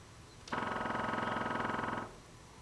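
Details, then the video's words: A woodpecker drums as a wake-up call: one fast, even, ringing roll of about twenty strikes a second, lasting about a second and a half; little else is heard. "Woodpecker Wakup Call"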